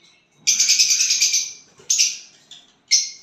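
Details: Violet bird singing and chirping on getting a partner: a rapid run of about a dozen harsh, high buzzy pulses over one second, then three separate scratchy chirps spaced apart, in a quiet setting.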